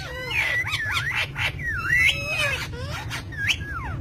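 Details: Green ringneck parrot giving a run of wavy, whistled tonal calls that swoop up and down in pitch, several notes in quick succession over a low steady background hum.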